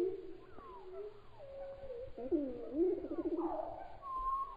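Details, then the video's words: Spotted palm thrush (Cichladusa guttata) song, slowed down: low, mellow whistled phrases with gliding notes and a rich warbled run, unhurried and varied. "Spotted palm thrush (Cichladusa guttata)"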